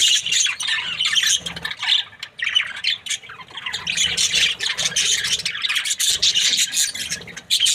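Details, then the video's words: Budgerigar breeding pair, called happy, chattering almost continuously with grating high warbles and chirps, with short breaks every couple of seconds. "Happy budgie chirping sounds 🦜| breeding pair"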